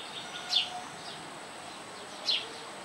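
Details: House sparrow chicks being fed by their mother at a nest on a roof give two short, high, slightly falling chirps about two seconds apart over a faint steady background hiss.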